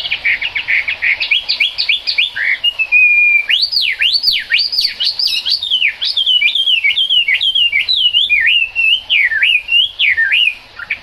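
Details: Chinese hwamei singing in the rain: a long, loud run of varied whistled phrases, rising and falling slurs and quick trills with barely a pause, one steady held whistle near the start.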